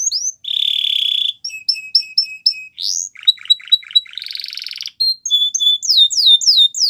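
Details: Belgian canary singing a varied song of distinct phrases: a dense buzzy trill, rapid repeated chirps, a sweeping upward note, a grating rattle, then a run of bright descending whistled notes, all high-pitched with brief pauses between phrases.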